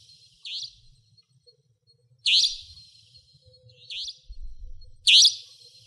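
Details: Savanna Nightjar, a territorial nocturnal resident in Pingtung County, Taiwan, 2014–2015: sharp, scratchy high calls, four in six seconds, alternating fainter and louder, over a low rumbling background.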